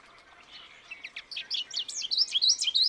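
American goldfinch song: a bright, rambling run of high twittering and sweet, slurred notes that grows louder and quicker, with faint background hiss.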